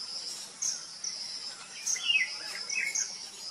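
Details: A parent common myna feeds three near-fledging chicks at a cavity nest in an old coconut tree, sunny coastal Odisha; a few rasping, falling chirps cluster midway, set against a continuous high-pitched insect buzz.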